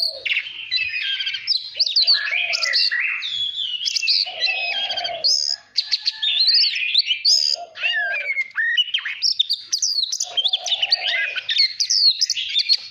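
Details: Caged white-rumped shama singing for voice training, meant to spur birds into competitive singing: a long, rich, varied stream of high whistles, trills and slurred phrases, with a lower, steadier warbling band coming and going.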